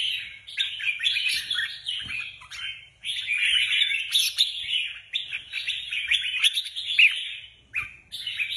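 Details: Competition red-whiskered bulbuls prepared for a contest sing lively, chattering strings of short whistled notes in rapid bursts, pausing briefly between phrases, with several birds overlapping.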